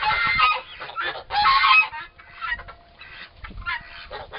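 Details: Two four-month-old turkey toms in a prolonged fight: loud ragged rasping bursts, the strongest near the start and middle, then quieter scratchy sounds and a faint steady tone in the background.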